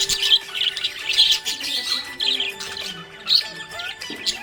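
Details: Happy budgerigar chirping in dense, fast bursts of high warbled and scratchy notes, loudest around the first and third seconds, over steady tones of background music.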